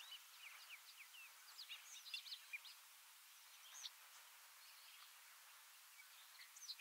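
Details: Male Bobolinks (Dolichonyx oryzivorus) in grassland at Heaven Hill, Lake Placid, New York, in May 2022, sing a distant, bubbling, metallic jumble of quick notes skipping up and down in pitch, with a faint hiss of open country behind.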